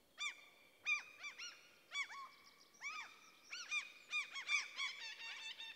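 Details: In a Swedish forest, common cranes trumpet in a busy run of ringing, arching notes, sometimes doubled or overlapping as if more than one bird, growing denser toward the end.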